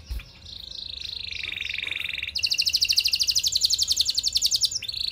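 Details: Canary singing to prompt other canaries to join in; a softer descending warble slides into a lower rolling trill, then a loud rapid pulsing trill with a final sharp swept note.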